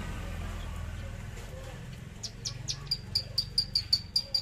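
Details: Javan bush lark delivering a trotol, tembakan burst: several buzzy notes, then a quickening run of about ten sharp, high clicking pips, evenly spaced, over low background rumble.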